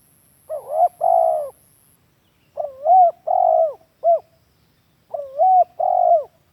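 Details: Spotted dove lure call used as a master recording to train captive doves: three phrases of low, hoarse coos, each two or three rolling notes followed by a short clipped note, with quiet gaps between phrases.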